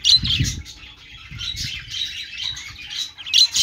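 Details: Budgerigar warbling in short, high squeaky bursts and scratchy twitters, loudest at the start and end, with faint low knocks early on.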